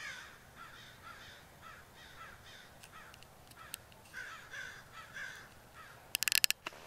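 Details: Rooftop crows, more than twenty together, keep up a steady stream of rasping caws for several seconds, ending in a burst of sharp clattering clicks.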